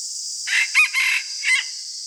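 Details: Red junglefowl decoy bird crowing in the morning during junglefowl trapping. One hoarse, harmonic crow of about one second in four broken segments, the third held longest. A steady high hiss runs underneath throughout.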